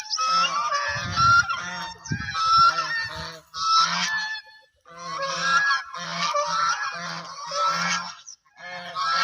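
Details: White and black ducks calling: harsh, nasal, honking quacks come in bursts of several notes, with short pauses between bursts.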